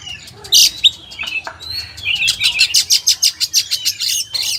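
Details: Kacer, the oriental magpie-robin, in loud song. A couple of sharp notes and a buzzy slur open the phrase, then a fast run of bright, repeated, chirping notes follows at about three per second.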